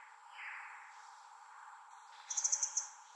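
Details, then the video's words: Asian brown flycatcher giving a quick run of five or six sharp, very high ticking notes near the end, after a faint lower chirp and steady hiss. "Asian Brown Flycatcher Calling for Travel Companions?"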